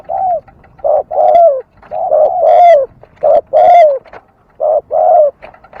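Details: Loud, close dove coos: a short note then a longer ringing falling note, pairs repeated about every second, some with bright overtones.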